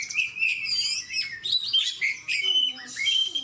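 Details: Oriental magpie-robin, a 'gacor' fighter-style singer beside other fighter birds: rapid run of loud whistled and buzzy notes, some sweeping up or down, packed tightly with short pauses, over a quiet background.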